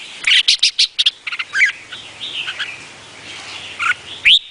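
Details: Red-whiskered bulbul, Vietnamese type. A quick series of bright chirps gives way to a soft warble, and a loud upslurred whistle closes the phrase.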